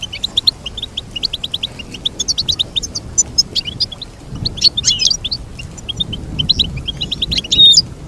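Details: Goldfinch song: fast runs of short, high chirping notes repeated in quick succession, broken by brighter twittering bursts and a few sharp, buzzy flourishes near the end.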